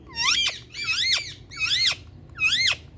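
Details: Indian talking parrot giving four loud, squeaky calls, each a harmonic-rich note that rises and then drops sharply, spaced under a second apart, with a quiet indoor background.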